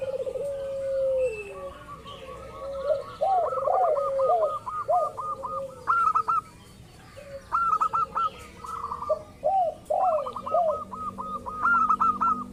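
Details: Local zebra dove calling as a lure to make rival doves answer; bursts of quick, clipped repeated notes alternate with lower rolling coos and pauses, with more than one bird audible.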